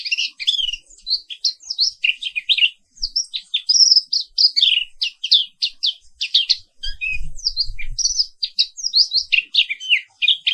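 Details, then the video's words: Black-capped white-eye, endemic to Indonesia, giving a long energetic morning song of rapid high chirps and warbled twitters, nearly continuous, with a short low bump in the middle. "Suara Terapi Pagi Pleci Papua Wiklus"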